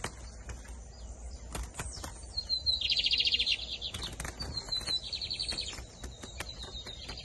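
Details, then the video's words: Bigodinho, the lined seedeater, in Camelão and Torneiro song styles, 2023 season: two rapid rattling trill bursts with high thin notes between them, over scattered sharp clicks and knocks and steady background noise. "Bigodinho Camelão x Torneiro"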